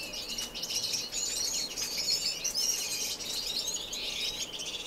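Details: Indoor non-breeding community aviary in Edmonton, Canada, March: finches keep up steady high-pitched chatter, many thin chirps and short trills overlapping into a constant twitter.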